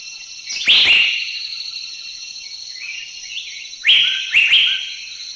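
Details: Asian Fairy-bluebird from Thailand giving sharp, liquid whistled notes: one emphatic note near the start, a softer lower note midway, then two quick loud notes near the end, over a faint steady high hiss.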